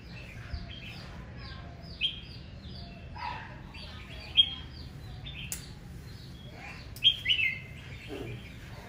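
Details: Red-whiskered bulbul in aggressive morning fighting song: loud short whistled phrases about every two to three seconds, the last a rising-falling buzzy flourish, among soft chirps from other birds and a steady low rumble.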